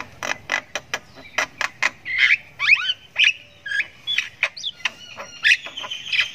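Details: Chick of the Javan myna, learning to vocalise, in ngriwik chatter: dry clicks spaced a few tenths of a second apart giving way to squeaky, rising and falling chirps and rasps.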